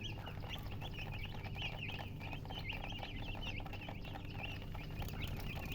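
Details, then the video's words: Newly hatched chicks piping loudly without pause, a dense stream of quick high cheeps from a group of babies, over a constant low mechanical hum. "Tot Murgi chicks chirping sounds Just Born Baby Gallina FRACAS Chicks Piar Loudly Sound"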